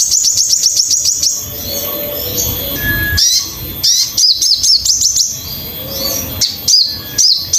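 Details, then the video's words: Crimson sunbird song for training birds: a quick run of high ticking chirps, a soft twittering passage, then lively bursts of sharp, upward-hooked notes, with one brief lower whistle. "MASTERAN BURUNG SOGON"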